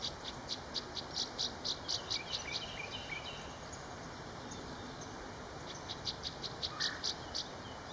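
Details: Northern rough-winged swallow on a wire over the East Branch Perkiomen Creek, Salford Township, Montgomery County, Pennsylvania, April 21, 2019, giving rough, buzzy notes about twice a second in two short bursts, over a steady high insect drone.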